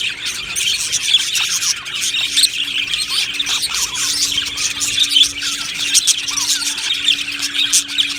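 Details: Budgie colony in an aviary producing a dense high babble of chirps and squawky notes, with a faint steady low hum underneath.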